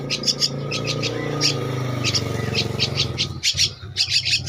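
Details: Fairly faint, scratchy begging notes from a two-week-old Javan myna chick, spaced irregularly, partly masked by a loud low rumbling hum.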